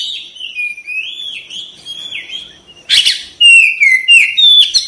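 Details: White-rumped shama singing in a loud, lively stream of whistled phrases, sliding notes swooping up and down, with a harsh burst near the third second followed by bright, rapid warbled trills.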